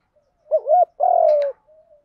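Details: A single field-voice fighting coo phrase of a spotted dove, used to attract wild doves: a quick double hooked coo, then one drawn-out deep coo that sags gently in pitch.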